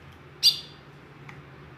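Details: A ten-year-old female ultramarine grosbeak calls, giving a single sharp, high, metallic chip followed by a faint tick over a quiet low hum.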